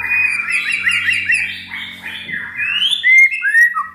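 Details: White-rumped shama kept at home and never in a contest sings rapid mimic-like chattering and whistled slurs, ending with sharp clear rising and falling whistles; faint low hum behind.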